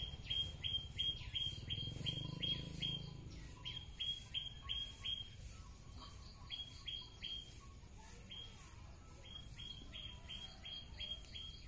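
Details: Wild bird singing outdoors, recorded as a song model for magpie-robins and white-rumped shamas: rapid series of sharp, high downslurred notes repeated in bursts, several per second, with pauses between runs, over a low rumbling background.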